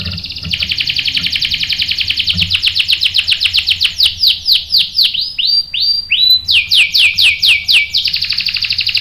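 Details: Canary song played as a 'pancingan' (bait) to rouse other canaries into answering with long rolling 'ngerol' song: fast high trills, then a run of repeated downward-sweeping whistled notes about four per second, closing with a dense buzzy roll.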